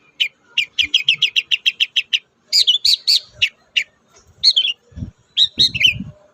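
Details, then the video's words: Song of a kept long-tailed shrike, used to prompt shy birds to sing: about a dozen short chirps repeated quickly, then loud sharp whistled notes and twittering phrases, with a few low knocks underneath. "pancingan ampuh cendet susah bunyi agar cepat gacor"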